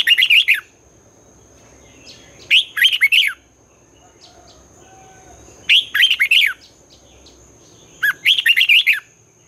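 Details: Twisting-voice morning song of a red-whiskered bulbul, used to push newly caught birds to sing. Four short bursts of bubbly, rising-falling warbled notes spaced two to three seconds apart over a thin constant high tone.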